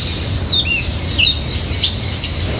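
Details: Yellow-legged Thrush at Instituto Butantan, São Paulo, Brazil, in January 2012, giving thin, high squeaky notes and brief twittering chirps in short bursts over a steady low rumble.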